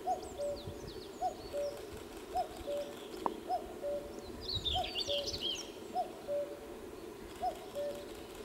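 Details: Cuckoo calling in May 2016 at RSPB Lakenheath Fen: seven clear cu-coo phrases, a higher short note falling to a lower held one, repeated roughly every second, while another bird chirps thin high notes midway.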